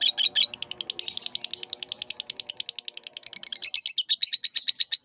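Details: Lovebird song used as a long training recording for cage birds: rapid, steady series of sharp high chirps, about three per second, shifting to harsher buzzy notes near the end, with faint background hum.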